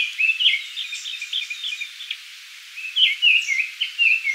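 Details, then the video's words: Japanese thrush singing at Kiyokawa village, Japan: a fast twittering phrase, a brief pause, then clear slurred whistles, sometimes downward, with soft hiss behind. "クロツグミ Japanese thrush"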